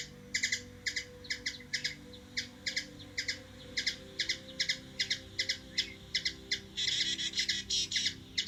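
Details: Hummingbird recorded in Washington DC, USA: a quick series of clipped paired ticks, about two per second, ending in a denser buzzy chatter, with a low constant hum underneath.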